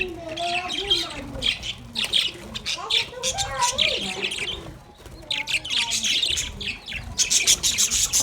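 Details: Caged budgerigars at play, described as happy, giving a lively mix of twittering warbles, short rising and falling chirps and scratchy high bursts, a brief lull midway before the chatter resumes.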